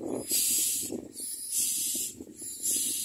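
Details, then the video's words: Hungry common myna chicks in the nest giving rough, hissy begging rasps in long surges separated by short dips, over a low rumbling background. "Common myna Birds are very hungry"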